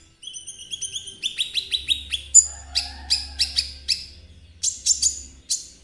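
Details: Konin singing hard to stir kolibri ninja: a fast run of thin, high pulsed notes becomes quick, descending chip notes, repeated many times in a lively, almost continuous twittering stream.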